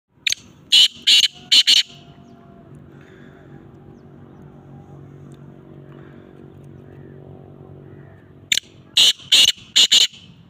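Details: Black francolin (kala teetar) calling on a very cold day, 21 December 2022: a harsh, grating phrase of about four rasping notes, repeated again after a pause of several seconds, over a quiet low rumbling background.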